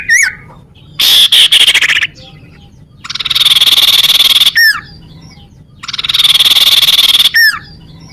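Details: Sunbird recording for luring birds and prompting rivals to sing. Repeated long, fast buzzing trills alternate with sharp downslurred whistles, in a cycle of roughly three seconds.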